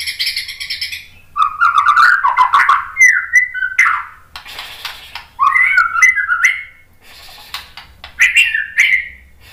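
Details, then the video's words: White-rumped shama song played to provoke other birds into answering and singing: loud, rich whistled phrases, some sliding down and others rising, in bursts separated by short pauses. "MASTERAN MURAI BATU biar EMOSI NYAUT jadi GACOR"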